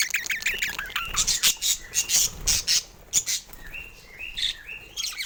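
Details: Morning play with toys among pet budgerigars, with short chirps and warbled notes, rhythmic clicking and tapping, then a few clear rising whistles near the end.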